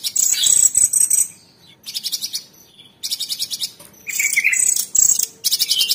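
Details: Training master of Orange-bellied Leafbird in 'tembakan' style: bursts of very high rattling trills separated by short silences, with one lower warbled, rising phrase near the middle.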